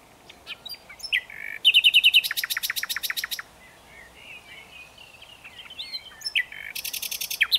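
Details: Common nightingale song with fast trilled bursts and a series of loud repeated strokes, a softer warbling stretch, then another rapid rattling trill at the end.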